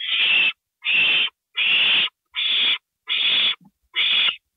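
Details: Owl at a nest during a nighttime gopher prey delivery, 2:05 AM, April 27, 2012: a steady run of seven rasping, hissy screeches, each roughly half a second long, spaced about every 0.8 seconds.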